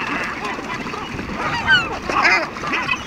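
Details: Hungry gulls being fed after fishing, crying for food with harsh, slurred calls overlapping in bursts, over loud rushing wind or handling noise.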